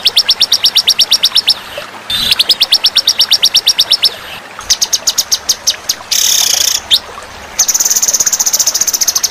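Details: Competition white-rumped shama training recording blended with fighter birds: fast, even trills of sharp high repeated notes, switching between pitches and phrases, with a brief harsh buzzy burst near the middle.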